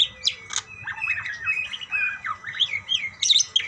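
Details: Budgerigars exchanging calls: a steady stream of short, bending, whistled chirps and squeaks, with a couple of sharp, loud notes at the start and end.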